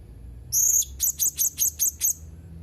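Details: Blue-crowned hanging parrot, dated 31 March 2021: one longer shrill high note, then six short sharp squeaky notes in quick even succession, very high-pitched and thin, over a faint low background hum.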